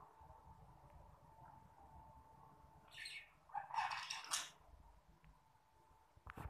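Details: Baby lovebirds in their home: a short cluster of harsh, raspy chirps bunched near the middle, with a brief noisy burst at the very end, over a steady low hum and quiet background.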